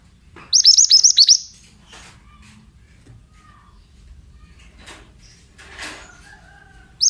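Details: Pied bushchat 'bahan' training song from a male: a burst of about seven fast, high chirps, followed by quiet knocks and soft room sounds, with another burst starting at the end.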